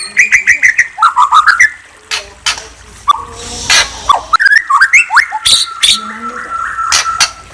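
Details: White-rumped shama singing: a run of clear whistled notes, first level, then dropping and rising in short slurred phrases, broken by sharp clicking knocks and a faint steady tone in the background.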